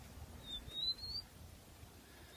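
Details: Captive rufous-collared sparrow (tico-tico) taken outdoors on a nature outing at a keepers' meeting on 10 October 2015, giving a short run of thin, high, slurred whistles rising slightly over about a second, against a soft outdoor hum.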